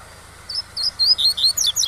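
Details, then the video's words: Tui-tui song of a double-collared seedeater, played with waterfall sound to teach young domestic-bred birds. After a half-second of hiss, clear whistled notes rise in pitch, repeated about every quarter second, ending in faster descending sweeps. "O Melhor ENCARTE TUI-TUI com Som de CACHOEIRA para Ensinar seu COLEIRO PARDO"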